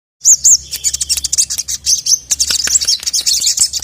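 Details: Ruby-cheeked sunbird (sogon) calling to a male in an agitated state, recorded as a training track. Rapid, very high, thin chirps and twittering notes in dense bursts, almost without pause.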